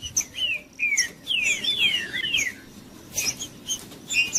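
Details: Green-winged saltator singing, played to warm up a cold bird: loud slurred whistles sweeping down and up, several in quick succession, then a pause and a few scattered higher notes.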